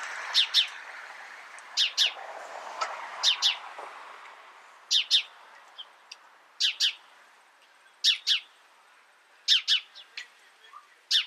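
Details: House sparrow chirping: sharp, high chirps mostly in quick pairs, repeated roughly every one to one and a half seconds, with a softer blurred twittering in the first few seconds.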